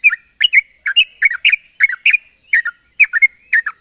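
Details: Lively long-phrased sooty-headed bulbul song used as a lure for other bulbuls. Bubbly, slurred whistled notes come in quick doublets and triplets about every half second, each dropping in pitch, over a constant thin high-pitched hum.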